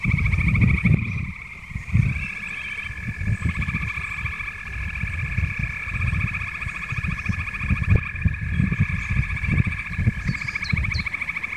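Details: Great spotted woodpecker in Wittlich, Germany, 2019: a steady, high, buzzy chatter that runs unbroken through the whole clip, over a heavy low rumble of wind and handling noise.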